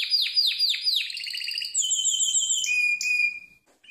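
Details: Harz Roller canary singing for training purposes: several loud downslurred whistles, a rapid rolling trill, then a long steady whistled tone before the song fades out.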